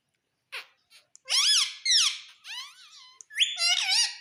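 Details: Indian ringneck parakeet kept as a pet in India, a talking bird, making a run of loud harsh rising-and-falling squawks and chatter, several strong notes in quick succession in a small room.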